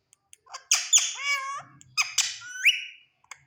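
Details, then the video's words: Green Indian ringneck parrot talking to its reflection in a mirror: loud, harsh, harmonic voice-like syllables with rising and falling slurs, a few bursts over three seconds, ending in a rising squawk, with soft clicks in a quiet room. "Ringneck Parrot Talking to Mirror"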